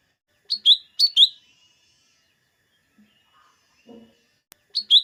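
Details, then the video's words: Song of a lesser green leafbird, meant to make green leafbirds sing hard before competition: three crisp doublets of high chirps, two close together, then a pause with faint low murmurs before the last doublet. "Suara burung cucak ijo mini atau cucak daun"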